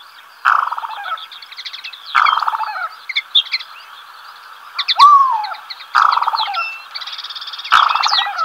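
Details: Black-bellied sandgrouse pair on waste ground at El Lote, Llanura Manchega, Spain, in early July, giving repeated deep, rolling churrs roughly every one and a half to two seconds, against a busy backdrop of high chirping birds.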